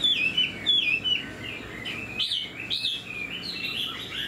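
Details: A caged hwamei with fresh plumage and fanned tail sings with tail flicks, giving a few bright, sharp whistled slurs followed by lower, drawn-out warbling phrases.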